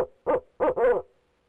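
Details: Male barred owl hooting from the nest box, three hoarse hoots in just over a second, the last one longer and slurred downward; quiet room-like background.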